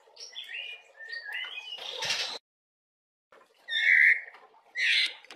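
Oriental magpie-robin in full song: varied sweet whistled phrases mixed with harsh, scratchy bursts, pausing for a second before a loud whistle and another rasping note.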